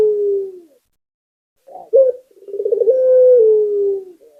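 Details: Barbary dove of the local puter type in lively song: a falling coo tail fades, then after a gap comes a short accented note and a rolling burst that stretches into a long, steady coo sinking gently at the end.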